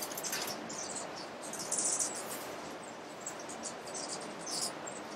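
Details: Crowned woodnymph (Thalurania colombica verticeps) in Alambi Cloud Forest Reserve, Ecuador, giving thin, very high dry chips at irregular intervals, about one every half second, over a steady hiss of insects.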